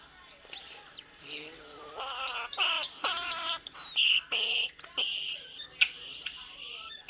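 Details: Talkative pet male common starling indoors, producing a run of harsh, buzzy, speech-like phrases and grating chatter, with a brief bright whistle amid the bursts, about seven seconds long.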